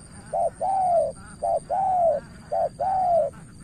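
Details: Decoy spotted dove in Cà Mau, Vietnam, calling at a seasoned rival: three clear coo phrases, each a short note then an extended arched note sliding down, spaced about a second apart over a faint high whine.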